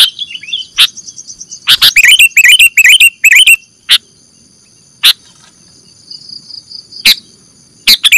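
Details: Sooty-headed bulbul lure recording for catching birds: a burst of chattering, bubbly chirps after a few soft notes, followed by isolated harsh chack notes spaced a second or two apart over a constant high hum.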